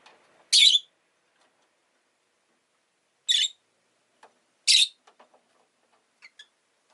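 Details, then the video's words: Pet rosy-faced lovebird producing three loud, harsh, buzzy chirps spaced a few seconds apart, with tiny soft ticks and a sharp note at the very end. "Lovebird Chirping Sounds"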